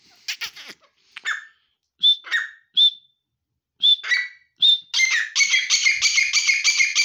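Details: Grey francolin calls: scattered sharp whistled notes, then a continuous fast run of ringing, harmonic notes repeated several times a second toward the end.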